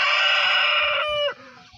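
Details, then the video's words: Rooster crowing: a loud, strained, harmonic note held steadily for over a second, then dropping off sharply, followed by faint low background rumble. "Rooster 🐓 is Crowing"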